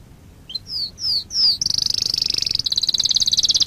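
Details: Canary song meant to train young canaries: three rising-then-falling slurred whistles, followed by a fast high rolling trill that continues to the end.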